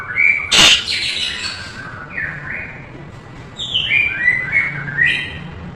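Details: White-rumped shama song from a tutoring recording: a sharp loud click-like note, then soft whistled slurs and a cluster of descending whistled phrases.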